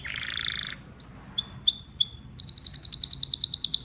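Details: A canary's song with a low buzzy roll, then a few sharp separate chipping notes, then a fast, bright, high-pitched trill.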